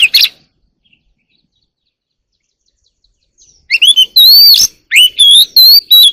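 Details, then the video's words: Early-morning Oriental magpie-robin song: a brief note, a long silence, then a rapid run of loud whistled phrases, sliding up and down and repeated several times. "warbler sings early in the morning || Chòe than hót đấu chim rừng quá sung"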